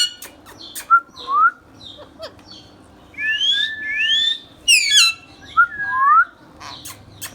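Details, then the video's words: Pet Indian ringneck parrot, a green talking bird, giving loud clear whistles: rising and falling slurred notes, some doubled, interspersed with sharp clicks and short bursts. "Ringneck Parrot natural sounds"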